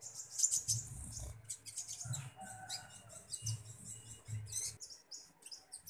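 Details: Common iora chattering as it is being fed: dense, scratchy high chirps, some softer whistled notes, and a low intermittent humming underneath.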